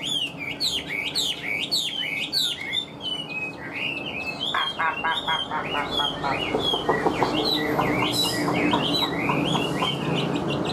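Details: A captive Chinese hwamei standing in sunlight pours out rich, varied whistled song with quick rising and falling phrases, then a run of rapid repeated notes, over a faint steady hum.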